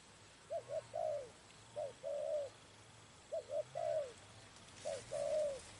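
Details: Spotted dove calling during bird trapping: repeated low three-part coos, two short notes then a longer falling note, phrases about every one and a half seconds, with faint background hum.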